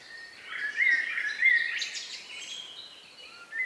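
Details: Evening song from the final birds of the day in the countryside, about 9 p.m. on May 2, 2020; rich, warbling whistled phrases with rapid chattering, fading to softer distant notes before a new phrase starts.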